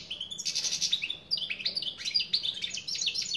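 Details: European goldfinch song, a continuous fast jumble of high liquid twitters, chirps and short buzzy trills, delivered in quick bursts with hardly a pause and no other clear sounds.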